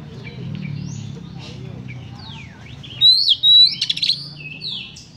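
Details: [['Harsh song of an Oriental magpie-robin, used to stir up emotion. Soft swooping whistles lead into a sudden loud high whistle and a second sustained note, then a few quick chips, with a faint low rumble behind.']]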